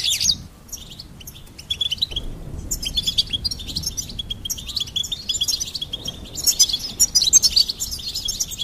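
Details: A goldfinch sings in lively bursts: a loud opening twitter, a brief lull, then a long run of rapid chirps and liquid trills growing busier toward the close.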